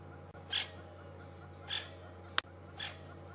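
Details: Alarmed francolins at Djuma Game Reserve on an April 20, 2015 afternoon drive, likely disturbed by a snake or slender mongoose; three short rasping notes evenly spaced, a sharp tap between them, and a low background hum.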